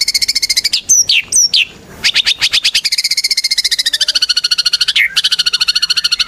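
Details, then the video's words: White-rumped shama singing actively, used as a lure to prompt other shamas to sing: sharp high whistled notes, then a long run of rapid, evenly repeated buzzy notes with a slowly falling pitch. "Murai Batu Gacor"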